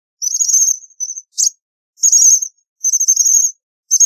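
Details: American bushtit voice: high, thin, slightly buzzy drawn-out trills alternating with short sharp chips, repeated in bursts about every second in silence.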